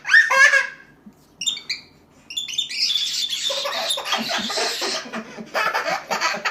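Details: A cockatiel interacting with a baby gives a bright, harmonic chirp, then a run of harsh, raspy squawks, with the baby's laughter.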